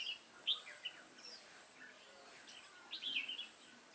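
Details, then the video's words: Red-whiskered bulbul decoy singing to lure wild bulbuls into a trap, recorded 28 September 2017 in Vietnam; short bright warbled phrases near the start and a fuller burst of whistled notes after three seconds, over faint background hiss. "Bẫy chào mào Chơi tít mù mau mỏ"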